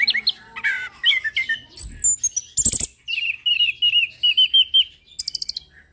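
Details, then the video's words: Orange-headed thrush singing on a tutoring recording for caged birds: mixed chirps and harsh notes, then a series of clear, even whistled notes repeated at a steady pace, ending in a quick high trill. "Suara anis Kembang Mapan"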